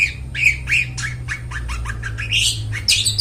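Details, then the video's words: Long-tailed shrike song used to lure and train mute shrikes: a rapid series of short down-slurred chirps, then harsher buzzy squawks toward the end, with steady low hum behind. "suara burung cendet gacor suara plong cocok buat pancingan burung cendet bisu"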